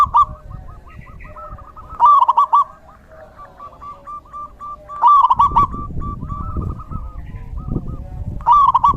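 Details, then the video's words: A zebra dove in the rainy season repeats its song, with loud rolling bursts of hooked coos about every three seconds and softer level coos between them. A low rumbling background runs through the second half. "Suara Terapi perkutut/Merbuk di Musim Hujan"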